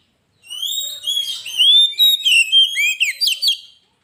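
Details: Oriental magpie-robin (kacer) singing vigorously, a master lure recording: loud whistled phrases, one long rising slur, then rapid clipped notes and fluttering trills, about three seconds of continuous song in quiet surroundings.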